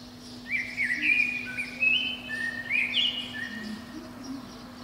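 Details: Wild Eurasian blackbird at the top of a pine below a window, singing on a spring morning around five to seven o'clock. Loud, warbled whistled notes tumble up and down in one long phrase over a faint steady drone.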